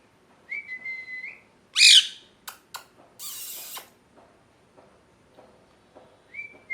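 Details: Molting pet parrot whistles a drawn-out note, lets out a loud harsh squawk with sharp clicks and a hissing rasp, then a faint whistle at the end over light room noise.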